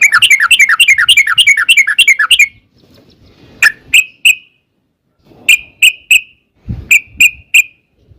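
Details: Yellow-vented bulbul, long 'ropel' song meant to lure birds into replying: a quick chattering string of warbled notes, then silence broken by short clear whistled phrases of two or three notes.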